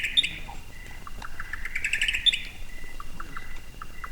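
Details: At night in Southeast Arizona, a rare Buff-collared Nightjar gives a quick run of clipped, rising notes that speeds up into a ringing flourish, then separate notes again, over a steady high insect hum.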